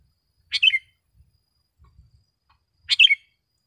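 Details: Sooty-headed bulbul, recorded as a tutor and lure for caged and wild birds: two bright chirpy phrases about two and a half seconds apart, with faint low thumps between.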